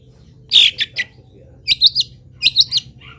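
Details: Long-tailed shrike, a local bird, singing actively with a song full of imitations of wild birds: short harsh chirping bursts in three spaced groups of two or three notes over a faint low hum.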